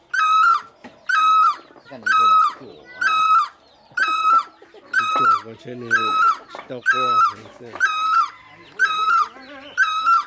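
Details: Great barbet (Psilopogon virens) giving loud, wailing two-part calls, repeated about once a second in a steady series, with faint lower background sounds.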